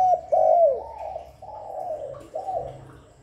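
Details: Spotted dove calls played to lure and stimulate other doves: a run of mellow, low coos, the first sharp and clear, the later ones softer and fading, over a faint steady low hum.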